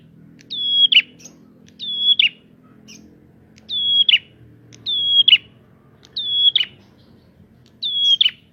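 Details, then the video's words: Prinia song used as a lure to provoke other prinias: a clear high whistled note falling slightly, ending in a sharp downward buzzy flick, repeated about every 1.2 seconds; faint low hum beneath. "Prenjak gacor!!! Pancingan untuk burung prenjak bahan"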